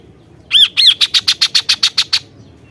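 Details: Kaso-kaso singing: two harsh, arching squawks followed by a rapid series of about ten sharp, high, buzzy notes evenly spaced, over low background rumble.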